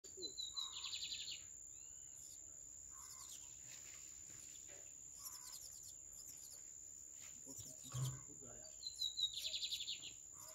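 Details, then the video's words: Lined seedeater singing in the "alemão" song style. Buzzy, rapidly trilled phrases come at the start and again near the end, separated by quieter gaps, over a steady high electronic whine throughout. "BIGODINHO ALEMÃO NA PEGADA!"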